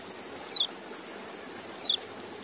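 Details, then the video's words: Kecial, a white-eye, utters two short high down-slurred notes about 1.3 seconds apart, thin and clear above a quiet noisy backdrop. "Relaksasi Suara Kecial"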